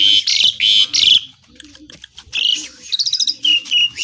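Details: Asian pied starling song with imitations: loud harsh buzzy bursts and shrill whistles, then quieter chatter and rapid high clicks, with low coos and some background noise.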